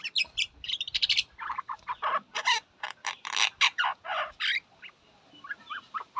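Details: Harsh, scratchy myna (shalik) chatter: a steady series of short, rasping bursts about every quarter second, with a faint low rumble underneath.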